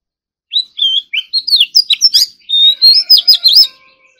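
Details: Oriental magpie-robin in morning song training, pouring out about three seconds of rich, high whistled phrases mixed with quick trills and sharp clicks, with nothing else in the background.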